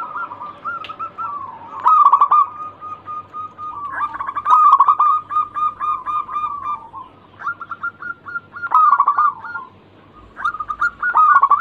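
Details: Local zebra dove in persistent song, used to stimulate other birds to sing: repeated phrases of quick stuttering coos, each ending in a rolling flourish, with short pauses between phrases.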